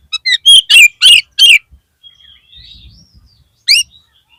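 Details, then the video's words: Oriental magpie-robin (kacer) lure song, played to lift a caged bird's flagging spirit: a rapid run of loud, sharp whistled and chattering notes in the first second and a half, then a thin drawn-out whistle and one final burst. "PANCINGAN KACER PALING AMPUH UNTUK MENAIKAN MENTAL KACER YANG DROP !!!!"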